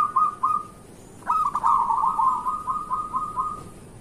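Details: Local zebra dove in lively morning song, a prompt for lazy singers: a few quick coo notes, then a long rolling trill of beaded notes fading out.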